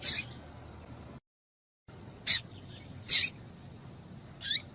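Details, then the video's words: A female double-collared seedeater calls to get a male excited. Four high, clipped chirps come at uneven intervals, the last with a short descending tail. A soft faint note and a brief silent gap fall between them. "Piado de Fêmea de Papa capim para Esquentar Papa capim"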